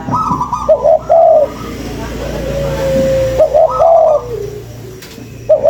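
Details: Spotted dove lure calling with short, low coos at the start, a long steady tone in the middle, then a higher note leading into a mellow falling coo.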